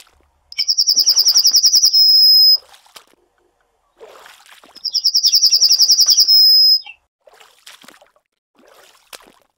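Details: Yellowhammer (Emberiza citrinella) repeating its song twice, each a brisk, buzzy run of high notes ending in a longer drawn-out note, separated by quiet gaps with faint ticking sounds.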